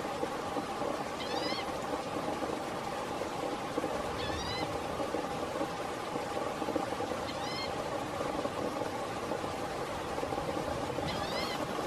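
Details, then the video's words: Green-tailed towhee calling while preening in Blackwood Canyon, Placer County, California, on August 29, 2017: a short mewing note given every three seconds or so, set against a steady rushing background like flowing water. "Green-tailed Towhee - (Pipilo chlorurus) - Calling and Preening"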